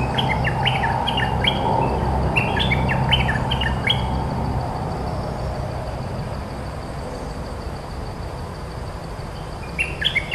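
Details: Resident cream-vented bulbul countering a decoy with a lively, fast run of chattering, slurred notes for about four seconds, then quiet, then a brief new outburst near the end; low droning background.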